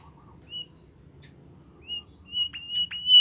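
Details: Caged bimoli bird. A few short, level whistles are followed by a longer sustained whistle with brief sharp chirps, all in near silence.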